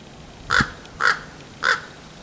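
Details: Three short, hoarse caws from a common raven, recorded 10 February 2015, spaced roughly half a second apart in a steady series, with a faint low thump under the first call.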